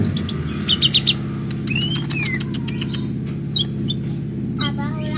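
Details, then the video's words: Greater green leafbird singing busily, kept as a bird ready for outings: short high chirps, a curved whistled slur, and a closing rapid stack of chirps, all above a constant heavy low-pitched hum. "cucak hijau gacor dor"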